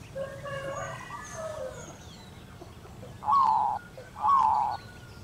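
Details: Calling its mate, a local female zebra dove gives two separate, rich, rolling coo notes about a second apart. Earlier there are softer whistled calls of other birds.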